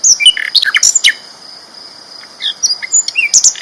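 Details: Sikatan londo flycatcher in loud, persistent song: quick high chirps and slurred whistles in two short bursts, separated by a pause, over a faint constant high hum.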